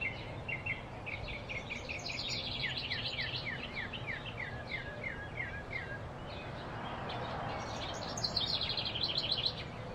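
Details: Blue-throated flycatcher singing in Arizona, a field recording: a quick series of sharp, down-slurred whistled notes that runs for several seconds and then resumes, over a steady hiss of outdoor background noise.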